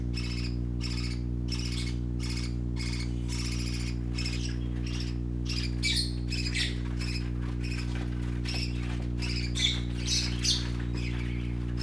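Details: Baby parakeets, brightly colored and playing, chatter in a fast, fairly regular series of rasping chirps, about three per second, growing more varied later, over a continuous low hum.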